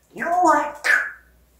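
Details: Pet African grey parrot talking: a short two-part phrase in a human-like voice, a longer warbled syllable followed by a brighter, falling one, with no other clear sounds.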